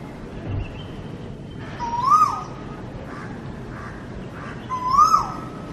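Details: Cuckoo calling: a clear whistled note that rises and then falls, heard twice about three seconds apart over a faint, steady background hiss.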